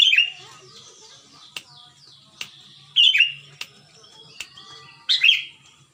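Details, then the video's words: Lure song of a sooty-headed bulbul from Ciruntah, Bandung, West Java, meant to make silent bulbuls sing: three loud bubbling phrases spaced about two seconds apart, with faint high whistles and sharp clicks between. "kutilang gacor suara plong tembus pancingan buat kutilang macet"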